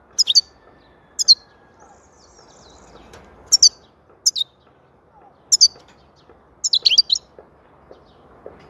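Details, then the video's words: High, crisp goldfinch notes from a European goldfinch, grouped in pairs and short runs, repeating every one to two seconds, ending in a denser tinkling flurry; background otherwise quiet. "Huzur verici saka sesi mūkemel"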